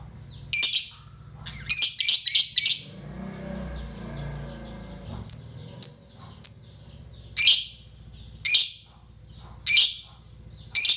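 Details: Lovebird calling a rival, long 'ngekek' lure: a series of shrill, raspy chirps, several in quick clusters and others spaced about a second apart, over a constant low mechanical hum.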